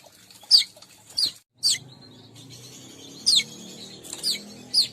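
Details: Weaver calling sound meant to draw in weavers: scattered sharp, high chirps, each a quick downward slur, separated by irregular gaps, with a thin sustained whistle and soft low rumble between them.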